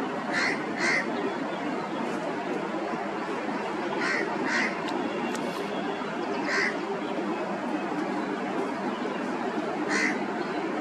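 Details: Repeated squealing calls of an Indian grey hornbill, often in close pairs of notes, scattered across about ten seconds against a loud, continuous noisy background.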